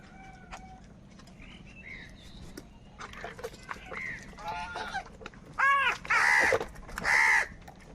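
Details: A large crowd of crows, said to be fighting for food, giving varied calls that build into three loud, harsh, drawn-out caws in quick succession at the end, with fainter crow calls and noise before.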